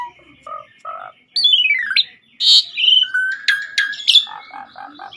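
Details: Asian pied starling singing persistently on a master recording: a few low paired notes lead into a long descending whistled slur, then loud harsh bursts, buzzy chatters and a run of short low chuckles at the end.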